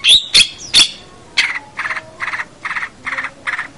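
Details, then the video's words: Energetic long-tailed shrike song for training young captive birds: a few high squeaky whistles, then a steady series of buzzy, rasping notes about every half second. "suara masteran cendet full gacor"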